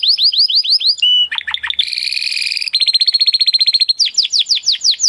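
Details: Varied Spanish Timbrado canary singing: evenly spaced falling whistles, a short flat note, dipping chirps, a harsh buzzy roll, a rapid clicking trill, and finally slower high descending slurs.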